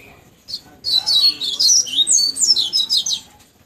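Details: Tawny-bellied seedeater singing a lively phrase of high, clear whistled notes, some sliding downward, repeated rapidly for about two and a half seconds in a quiet setting.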